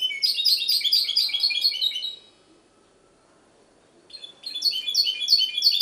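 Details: Goldfinch hybrid in Ksar el Kebir, Morocco, delivering two bursts of quick, sparkling twittered notes separated by about two seconds of silence, each burst a dense chain of high chirps.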